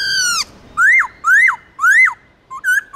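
Laughingthrush gives a long, falling, nasal note, then three rich rising-and-falling whistles about half a second apart, ending with short clipped notes.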